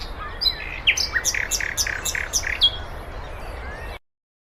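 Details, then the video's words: European goldfinch kept as a cage bird, singing a 'batbata' style song: a quick, jangling twitter of short bright notes and brief buzzy chirps, tumbling up and down for about four seconds, with a low hum behind. "طائر_الحسون.بتبتة خرافية وأصوات تجنن طيورك."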